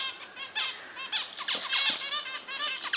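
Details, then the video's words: Several finches, always active in the nest, chatter busily with quick, nasal, buzzy chirps that overlap almost without pause, calling at once in a bright, high-pitched tangle. "Beautiful Finch 🐦 amazing sound"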